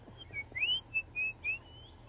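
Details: White-browed scrub robin singing in the misty dawn chorus at sunrise on Earth Day, 22 April, on an African safari drive: about five clear, high whistled notes in two seconds, some sliding upward, with doves and tchagras also calling, over a faint low hum.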